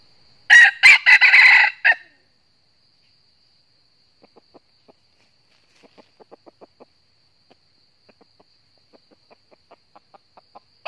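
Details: Wild red junglefowl, northern Vietnam, lured by a decoy cock to a trap, gives an intense challenge crow. A loud, choppy crow of about one and a half seconds, then many quiet, quick clucks in loose runs.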